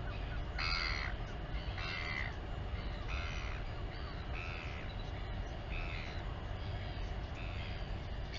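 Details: Royal albatross at the Taiaroa Head colony near Dunedin, New Zealand, filmed by a live nest camera while the mother feeds her chick; short harsh harmonic calls repeat about every second over constant low wind rumble.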